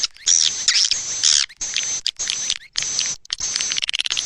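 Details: Swiftlet lure call of the style called Anak Muda, played to attract swiftlets: dense, buzzy, high twittering bursts of about one second, broken by short gaps, with a sharp chattering flutter at the end.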